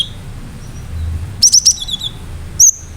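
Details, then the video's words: Cinereous tit (gelatik batu) singing vigorously: a quick burst of three sharp, very high chirps, then a single high whistled note after a pause, over a faint low hum. "Gelatik batu gacor"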